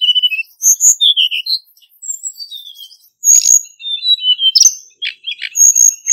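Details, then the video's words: Hill Blue Flycatcher male decoy song for trapping, wild forest style: rapid high whistled phrases with clear falling slurs and sharp ticking notes, delivered in two dense bursts. "Tiếng chim Hồng hạnh trống mồi"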